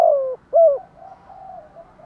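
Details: Spotted dove calling in the thúc gù and gáy gọi styles: two low, soft coos, the first a hoarse note that falls away and the second a stronger falling coo, followed by faint coo-like sounds in the background.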